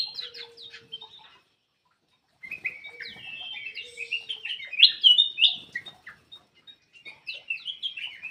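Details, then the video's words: Song of a Ruby-throated bulbul, with busy chirping and warbled notes that swell into a dense, loud stretch of rising and falling whistles midway. A short silent gap breaks the song, and a faint low steady tone sounds at times. "SUARA BURUNG CUCAK EMAS \ KUTILANG EMAS"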